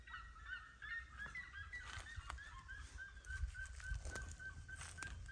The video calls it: Som de Seriemas Cantando